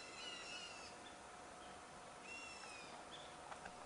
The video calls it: A Black Bulbul bird Cheeping in response to the cheep of another bird of its kind